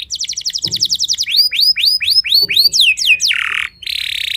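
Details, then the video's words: A Timbrado canary at early-morning song practice sings a fast rolling trill, then a string of upward-sweeping whistled notes about three per second, ending in buzzy rattles. "Canary Singing-Timbrado Thanh Yến Luyện Hót Sáng Sớm"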